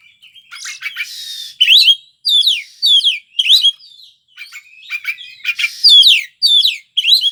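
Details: Kacer (Oriental magpie-robin) singing gacor: a busy run of harsh rasps and rapid stuttering notes, followed by repeated twisting whistles and descending trills at a quick, uneven pace.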